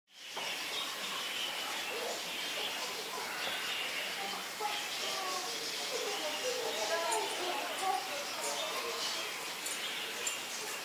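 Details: Wild-type budgerigars chatter in quick, scratchy warbles and short chirps, running on without pause under a steady hiss.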